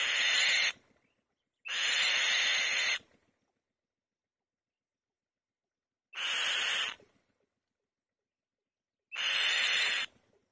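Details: Nesting female white-tailed kite making loud noise: four coarse, hissing screeches at uneven intervals, two close together, then longer gaps of several seconds between the rest.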